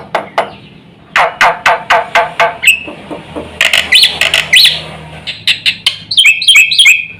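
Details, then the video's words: Black-winged myna singing to provoke other mynas: harsh, scratchy chattering bursts give way to a short whistle, then mixed rasping notes and a quick run of bright whistled notes at the end. "suara jalak putih gacor full isian sekali pancing semua burung jalak ribut gacor"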